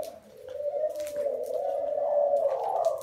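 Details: Spotted doves, Thai or Vietnamese line, giving an unbroken low coo that slowly climbs in pitch over three seconds. Faint clicks and rustles sound in the background.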